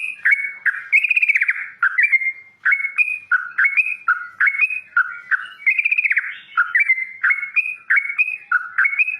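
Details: Yellow-vented bulbul singing loudly and steadily in the wild, pouring out bubbly, gurgling whistled phrases of short notes that step up and down, repeated almost without pause, some with a fast rattling flourish.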